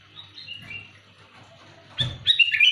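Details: Sooty-headed bulbul giving a loud luring call: a few faint whistled notes early, then after a low thump, bright rising and falling whistled phrases grow louder toward the end.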